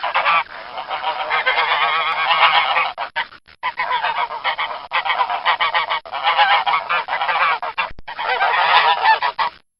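Domestic geese honk loudly and nasally in a dense, overlapping stream of harsh, wavering calls, broken only by brief pauses.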